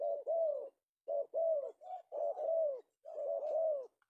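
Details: Loud, close coos from a male spotted dove, or tekukur, caught one afternoon in Indonesia, in rolling phrases of several notes separated by short silences.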